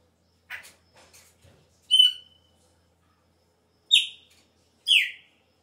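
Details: Chopi blackbird at the season's start, its song changing. Faint clicks and chatter lead into three loud, ringing whistled notes. The later two are short and downslurred, spaced about a second apart.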